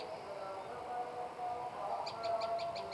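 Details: Olive-backed tailorbird giving a quick run of about six sharp, high, evenly spaced notes near the end, after a stretch of steady background hum and faint distant noise.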